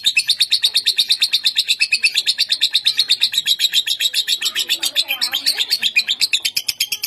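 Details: A lovebird kept as a competition bird in Bogor pours out a long, unbroken, high chattering trill ('ngekek'), about six shrill notes a second, held for the whole stretch without a pause.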